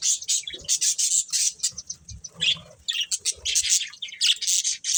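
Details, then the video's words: High, quick chirps and short warbled phrases from a budgerigar breeding pair, coming in rapid bursts with soft low notes between them. "Colourful Budgies Chirping Sounds"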